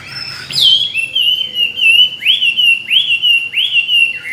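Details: Tame caged Chinese hwamei, two years in the cage, a trained contest singer with many wild voices, sings loud clear whistled phrases. Each slurred note swoops up and then falls, repeated about every 0.6 seconds, with bright high overtones.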